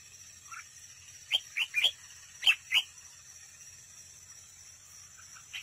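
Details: Decoy red-whiskered bulbul singing in a trap contest, heard close: a few sharp, rising whistled notes in two brief clusters, then quiet except for a faint steady high-pitched drone.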